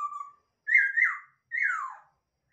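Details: Masked laughingthrush kept for breeding: a short level whistle followed by two long, slightly wavering whistles that slide downward at the end; clean, quiet background.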